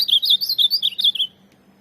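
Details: Tournament azulão (ultramarine grosbeak) delivering a fast, loud warbling phrase of rising and falling whistled notes lasting about a second, then falling silent.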